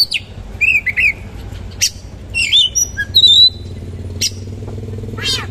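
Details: Oriental magpie-robin song of coarse material, 'roll tembak' with rich fill. Wavering whistled phrases, a drawn-out high whistle and sharp buzzy strokes alternate with short gaps. A low hum sits underneath.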